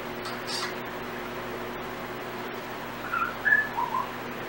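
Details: Timneh African grey parrot kept as a pet, whistling portions of what it has learned: after a quiet stretch with faint noises, a quick run of four short clear whistles, some rising, in the last second and a half.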